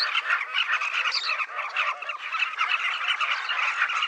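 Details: Southern carmine bee-eaters crowding a riverbank colony along the Luangwa River. A steady, dense din of countless rolling, burry calls overlaps without a break, with no other clear sounds.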